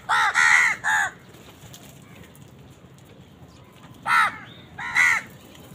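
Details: Crows fighting with wild birds for food: three harsh, nasal caws in quick succession, then a pause of about three seconds before two more hoarse caws, with faint background noise.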